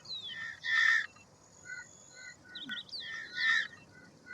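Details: Two grating, rasping calls from an Indian roller, separated by soft repeated tonal notes and a few high whistles from other birds.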